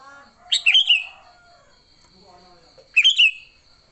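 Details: Sooty-headed bulbul in lively fighting mode, used to lure others: two bright gurgling phrases about two and a half seconds apart, with softer low chattering and a steady high ticking in the background.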